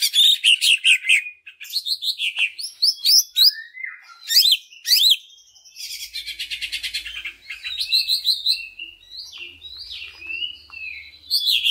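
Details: Cucak ijo (greater green leafbird) lure song meant to make other leafbirds sing: a dense, varied medley of swooping whistles and chirps, a rapid rattling trill in the middle, then softer slurred phrases.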